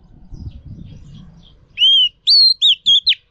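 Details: Female Oriental magpie-robin song used to rouse and train males: after low background murmur, four short arched whistled notes come in quick succession.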